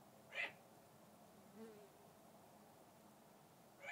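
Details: Bathing outside his mews, a male red-tailed hawk kept for falconry talks to a visiting hawk with short, coarse, screechy notes opening and closing the passage, separated by a soft low murmur.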